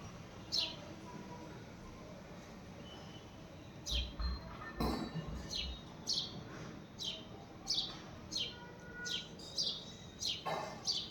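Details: A house sparrow calls with short downward chirps, sparse at first and then a quicker run of notes near the end, while a brief bump of handling noise is heard midway.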